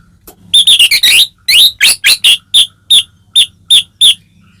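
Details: Caged white-rumped shama (murai batu) singing to provoke another bird; a burst of rapid chattering notes followed by a steady series of sharp repeated chips, about two per second, hum in background.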